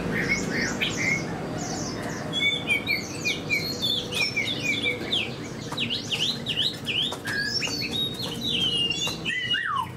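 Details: Caged Chinese hwamei, a spread-tail fighting bird, sings dense bursts of sharp zigzag whistles and quick trills, one phrase after another, with faint ticks in between.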